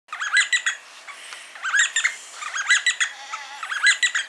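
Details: D'Arnaud's barbets calling and duetting near Lake Baringo, Kenya: loud rhythmic bursts of rapid chattering, squeaky notes repeated in clusters roughly every second, with overlapping voices and quieter scratchy notes between bursts.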